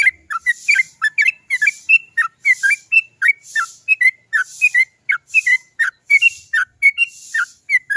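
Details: A sooty-headed bulbul sings a long, trilling song in one breath, meant as a lure for other bulbuls: a continuous run of bright, liquid whistled phrases, each a few notes bouncing between high and lower pitches.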